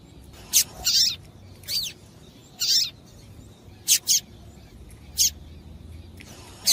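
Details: Double-collared seedeater female giving calls meant to excite the male: high, brief chirps and buzzy slurred notes, some doubled, spaced irregularly with quiet gaps and low background hiss.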